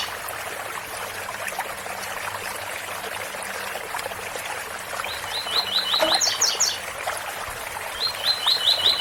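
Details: Rushing waterfall dominates at first, then a double-collared seedeater gives a tui-tui phrase of fast repeated chips rising to high notes, followed by the start of another phrase.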